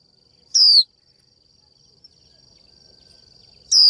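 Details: A female Japanese white-eye calling to a male, its 'chíu' meant to excite him into singing. One full downward-sliding whistle, then a long quiet gap over a faint whine, and a second call cut off at the end.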